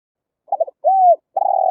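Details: Spotted dove cooing, played as a loudspeaker lure for wild birds: a short broken double note, a smooth slightly arched coo, then a trembling held coo, all mid-pitched against silence.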